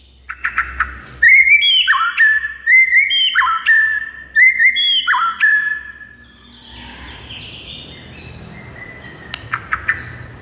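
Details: White-rumped shama song used to provoke a mute bird into singing: a run of clear stepped whistles repeated in a steady pattern, then softer scattered high notes and sharp clicks.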